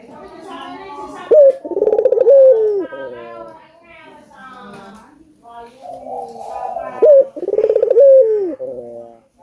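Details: Albino collared dove in vigorous song, meant to stimulate other doves to call: two bursts of rolling, throaty coos separated by a quieter stretch of softer murmuring.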